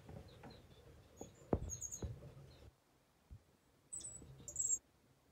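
Painted finch calls: brief, high, thin chirps in a few short bursts, over soft knocks and low rustling noise.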